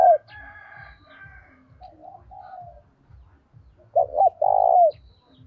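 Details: Spotted dove calling as a lure for wild doves with a lively urging voice. A loud downslurred note opens, faint coos follow in between, then the bird gives a strong phrase of two short notes and a long falling coo.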